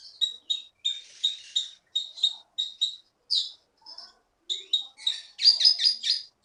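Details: Olive-backed sunbird from the Bangka forest, a prize-winning competition bird in Bangka Belitung, repeats clipped high chirps in a steady series, then breaks into a fast buzzy trill of rapid notes at the end.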